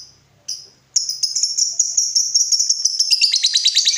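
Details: Lovebird ngekek, a long trill used as a lure to make other lovebirds respond. After two brief squeaks, a high, rapidly pulsing chattering trill builds and grows harsher and louder over three seconds.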